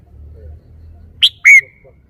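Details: Red-whiskered bulbul showing off its song phrasing: a short, loud pair of whistled notes, the first sharp and high, the second a longer slurred whistle dipping in pitch, after a quiet low hum.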